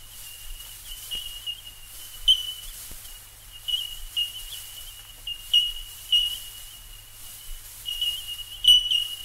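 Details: In Australia, several Bell Miners give clear, high, bell-like 'tink' notes constantly, with brighter pings every second or two over a faint low hum.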